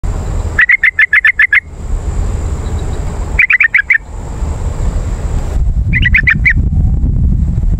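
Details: Yellow-vented bulbul calls used as a lure for wild birds: three rapid bursts of short chattering notes near the same pitch, each burst about a second long, over steady low rumbling background noise.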